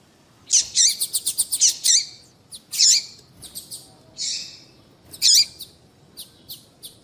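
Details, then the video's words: Papa-capim seedeater female call meant to stir males into song: a fast run of high ringing notes, then louder harsh chirps and a buzzy note spaced about a second apart. "Piado de fêmea de papa capim vai deixar seu papa capim cantando"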